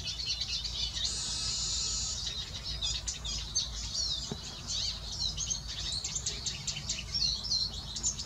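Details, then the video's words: A male siskin sings, opening with a drawn-out, wheezy, rasping buzz lasting about a second, then running into a rapid, high-pitched twittering warble of chirps and trills over low background hum. "Male Siskin singing."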